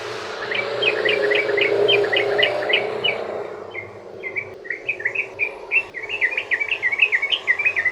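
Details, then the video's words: Yellow-vented bulbul singing a long 'ropel' sequence used to lure others into song: rapid chirps at first under a rushing background noise, then cleaner and faster bubbling notes in the second half. "trucukan ROPEL PANJANG buat pancingan burung trucukan agar bunyi"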